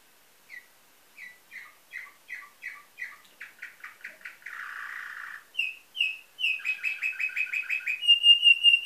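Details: Canary singing in nightingale style, Varna, Bulgaria, 2013: sharp chirps repeated about every half second speed up into a rattle, a harsh rasping burst follows, then loud stuttering trills ending in a steady high whistle.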